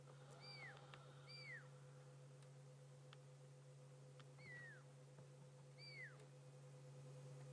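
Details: A fork-tailed drongo mimics a pearl-spotted owl's often-territorial call: four high, clear whistles that arch and slide downward, spaced irregularly, over a steady mechanical hum.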